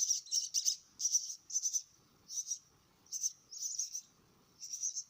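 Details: Fed myna chicks make short bursts of shrill, high begging squeals, each lasting under a second and separated by quiet gaps, with faint low rustling between bursts.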